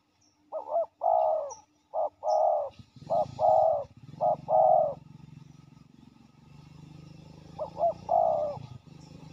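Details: A territorial male spotted dove, very aggressive, calls at a ground decoy trapping site. Repeated low two-part coos, short then drawn out, come in a loose series over a steady engine-like rumble that starts partway through.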